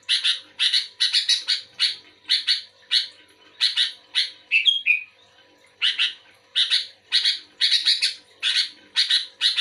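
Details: Active sooty-headed bulbul singing back at another bulbul: quick bursts of harsh chirps, broken midway by a short, clear, descending whistle, then the scratchy chatter returns.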